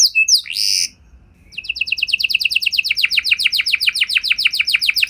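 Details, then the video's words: Canary singing to make other canaries answer: a few sharp whistles and a buzzy note, a brief silence, then a fast trill of falling high notes building in volume. "Kenari Gacor Lagu Istimewa! Langsung Nyaut Kenari Mana Saja Dengan Suara Burung Kenari Ini"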